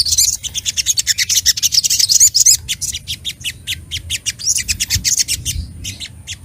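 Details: Sunbird (sogok ontong) sings a fast run of thin, very high chips, about four a second, in bursts with brief pauses; described as an agitated singer seeking a rival.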